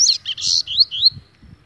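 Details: Agitated, angry double-collared seedeater: a brief burst of high buzzy and whistled notes, a harsh rasp followed by two clear rising-falling whistles, with faint low thumps underneath.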